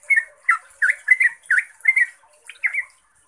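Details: Yellow-vented bulbul, fast 'ropel' song used to draw replies from other bulbuls: a handful of rich, rolling chirps spaced about every third of a second, fading out at the end over faint hiss.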